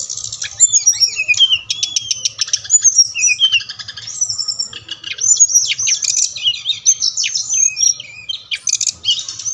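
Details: Bali brown-chested jungle flycatcher song meant to provoke quiet captive birds into singing: a dense, continuous high torrent of twittering, trilled and buzzy notes with sharp clicks, almost without pause, over a steady low hum.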